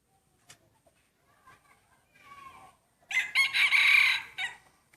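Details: Breeding rooster crowing in a contest of main breeding cocks, first round: faint scattered sounds, then one loud, harsh, bright crow of about a second and a half, strongly held and wavering slightly before it cuts off.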